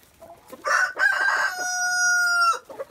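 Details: Early in the morning, as free-range chickens are let out and several roosters are present, a rooster gives one full crow: two choppy opening syllables running into a long, held, slightly hoarse final note, with soft clucking after.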